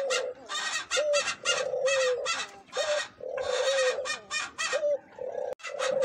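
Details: Eurasian collared dove song: low, steady cooing phrases repeated back to back, each coo a soft hollow tone, overlaid with loud rough broadband bursts throughout.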